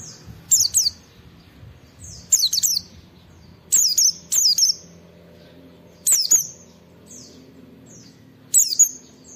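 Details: Oriental white-eye (pleci) singing to encourage other white-eyes to sing, delivering short separated clusters of high, sharp descending whistles with quiet pauses between them.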